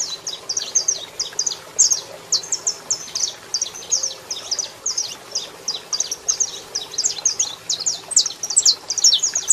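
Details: Saffron finch, male singing and female calling, producing dense high-pitched chirps in rapid bursts without pause, over a faint hum and light background noise.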